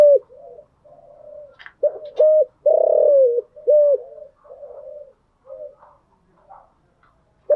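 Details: Spotted dove cooing in the morning: several low, hollow phrases of short clipped coos around a longer vibrating note that slides downward, then softer trailing coos and a brief click near the end.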